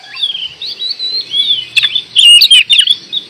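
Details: Indonesian kacer (oriental magpie-robin) in lively song: smooth drawn-out whistles glide upward, then give way to a dense burst of harsh, scratchy notes and sharp clicks near the end.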